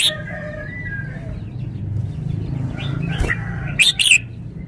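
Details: Red-whiskered bulbul, a caged songbird shown off for its clear, well-articulated song phrases: soft whistled notes at first, then two bright, liquid chirps near the end, over a steady low hum and one sharp click.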